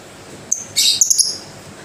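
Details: Lovebird giving a thin whistled note, then a harsh buzzy burst followed by a few quick clipped chirps, all high-pitched.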